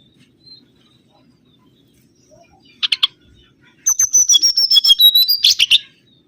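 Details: Lure recording of a mangrove whistler: two sharp clicks, a pause, then a fast, bright phrase of high whistled notes sliding gradually lower, ending in a rough burst.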